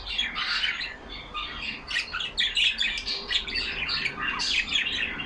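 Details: Several caged budgies, yellow parakeets kept as pets, chatter among themselves in a steady stream of rapid scratchy warbles, chirps and clicks, voices overlapping throughout.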